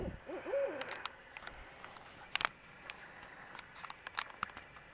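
A barred owl gives a brief, wavering hoot that rises and falls in under a second, followed by scattered clicks and handling noises.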